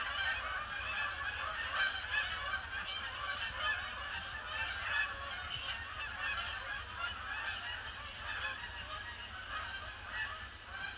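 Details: A large flock of Canada geese arriving at a pond on a gloomy grey Boxing Day, 26 December 2015, circling before landing, honks continuously, with many overlapping nasal honks at a brisk, irregular pace.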